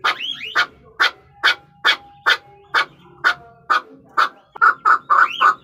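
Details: Partridge calls of a Chukar: mellower, lower-pitched chuck notes spaced about two a second, with rising slurred whistles at the start and a quicker burst at the end.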